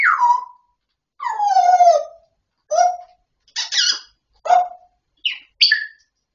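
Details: Talking grey parrot indoors: a series of separate voice-like phrases with falling tones, harmonic whistles and harsher bursts, each under a second long with short pauses between.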